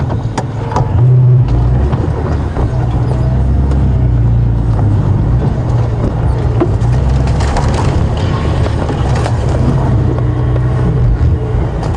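Steady low vehicle engine rumble with clunks and rattles, no animal calls.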